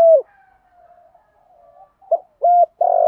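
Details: Spotted dove lure singing to stimulate wild doves to answer: one strong coo, then a faint drawn-out hum, followed by a short burst of three rising coos, the last one buzzy and sustained.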